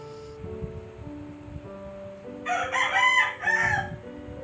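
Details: Domestic chicken: a rooster gives a single loud, strained, harmonic crow of several rising and falling syllables lasting about one and a half seconds, over steady background piano music.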